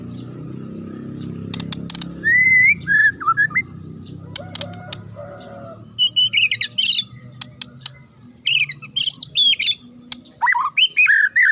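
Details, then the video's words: Murai (magpie-robin) with a sharp, provoking song, delivered as a varied medley of whistles, buzzy high trills and rapid clicking notes in irregular bursts, with brief pauses between, over low background noise. "DIJAMIN Langsung NYAUT dan NGAMUK Pake Suara TAJAM Murai ini"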